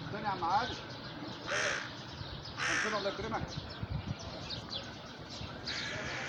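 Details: Crow heard at sunset, uttering three harsh caws at irregular intervals, with voices and scattered thumps in the background.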